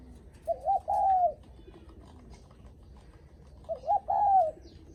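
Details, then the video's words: Spotted dove cooing to greet visitors arriving at the house: two matching phrases about three seconds apart, each a pair of short hoots followed by a long, slightly quavering croon, against quiet low hum. "Tiếng Chim Cu gáy khách có khách đến nhà là gù cực chất cu gáy chào khách"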